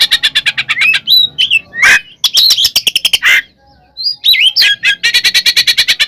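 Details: Oriental magpie-robin (kacer), a caged bird, singing an aggressive song used as bait to anger other birds. Rapid harsh rattles alternate with rising whistled slurs, and the passage ends in a long fast chatter.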